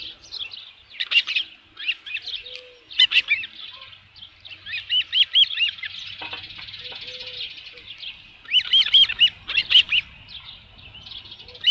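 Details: Osprey at a nest holding a headless fish, Dunrovin Ranch, 27 June 2018, shortly before 1 PM. Shrill whistled chirps come in quick rattling bursts, with a quieter run in between and occasional soft lower notes.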